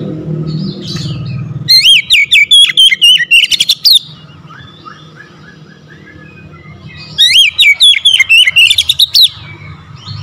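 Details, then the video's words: Gacor song of an oriental magpie-robin, a daily-kept bird said to sing vigorously after a single lure despite being lazy: two loud bursts of quick, twisting whistles a few seconds apart, with faint softer bird notes and low rumble between. "KACER HARIAN MALAS BUNYI SEKALI PANCING LANGSUNG GACOR"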